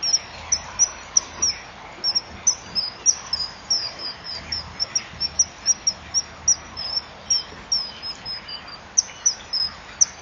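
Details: At a breeding-wall nest at 08:06, a male and female common kingfisher chip at each other before the male flies to her to mate but hesitates: sharp high chips, two or three a second, uneven, faint hiss.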